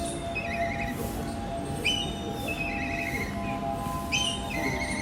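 Black kite giving three thin, whinnying whistles that trill and slide downward, about two seconds apart, over steady background music.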